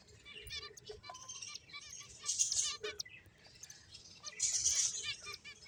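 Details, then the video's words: A group of finches at play trills and chirps in high, rapid bursts, swelling into loud chattering passages twice, separated by quieter scattered notes. "Cute Birds Chirping Sounds | Beautiful Finches Playing"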